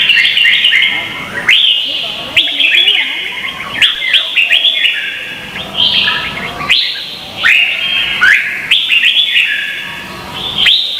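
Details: Red-whiskered bulbuls singing against each other in Vietnam, used to stimulate and train birds. Lively whistled phrases start with abrupt rising notes and repeat in a steady rhythm, every one to two seconds.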